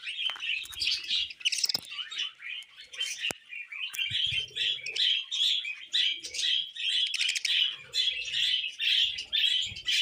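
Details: Pet budgerigars being tamed, chattering in a dense, warbling stream of bright, rapid chirps and scratchy twitters that run almost without pause. The chirps come several per second, with a few soft low knocks and rustles underneath.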